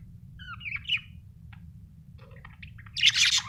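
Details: Happy budgerigar chirping: twittering whistled notes, sparse soft clicks, then a loud harsh rasping chatter at the end.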